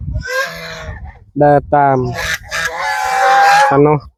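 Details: Hungry farm geese call as they gather in the evening to eat chopped banana stalk with rice bran; short stacked honks come in bursts, then a long drawn-out nasal note.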